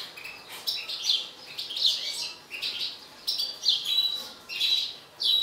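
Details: Mutant European goldfinch, described as agitated, sings rapid high twittering phrases broken by short gaps, with bright whistled notes mixed in.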